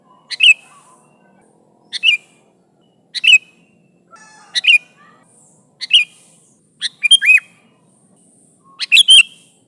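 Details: Lively sooty-headed bulbul calling its companions: crisp, bright chirps repeated roughly every second or so, some doubled into short two-note phrases, quiet background with faint soft notes between.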